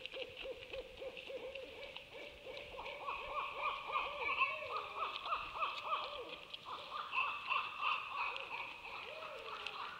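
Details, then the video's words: Owls calling, heard as rapid strings of short, arched, wavering notes that climb in pitch as the series goes on, with a steady high buzzing background throughout. "Being Serenaded By The Owls"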